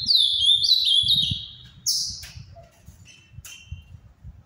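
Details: Ultramarine grosbeak, Paraná type, kept captive bird whose song is praised as Brazil's most beautiful; a loud warbled phrase of sliding, descending whistles lasting nearly two seconds, then short sharp notes and soft low background thumps.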